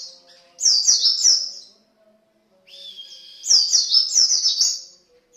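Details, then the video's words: Javan white-eye in full, lively song, used as a lure recording to prompt singing: two bursts of rapid, high, twittering warbles, each about a second long, separated by a short pause, with a faint steady hum beneath. "pancingan pleci gacor"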